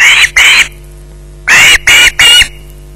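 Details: Osprey with a fish at its nest, Loch Garten, evening after a 20:33 fish arrival: two strident rasping screeches, a pause, then three more in quick succession; low steady hum underneath.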